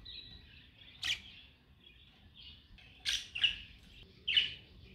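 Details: Two young pet budgerigars singing and playing on their swing, active after eating soft food: a steady, high warbling chatter broken by sharp, bright clicks every second or two.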